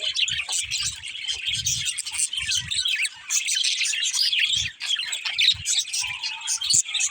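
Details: A flock of budgerigars chattering with rapid high chirps, squeaks and warbled phrases, broken by short pauses, with soft low thumps scattered throughout.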